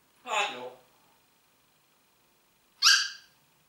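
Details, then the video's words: Congo grey parrot kept as a talking pet, said to greet with the German "Guten Morgen"; a short voice-like harmonic utterance, a pause of about two seconds, then a sharp bright burst in a quiet indoor room. "sprechender Papagei Rudi Guten morgen"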